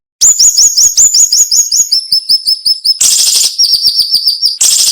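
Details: Cinnamon-bellied flowerpecker tutor song in sharp nembak style: a rapid string of bright downslurred whistles about three per second drops into a lower run of thin ticks, then a harsh buzzy burst and more ticking.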